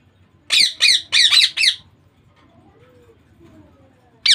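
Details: Baby Indian ringneck parakeet kept as a pet: five harsh, buzzy squawks in quick succession, then a pause with faint room noise and one more squawk at the end.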